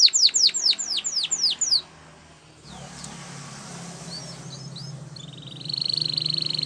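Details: Spanish Timbrado canary training song: a quick run of steeply falling whistled notes, about seven in under two seconds. Then a quiet gap with a few faint chips, and finally a steady high trill.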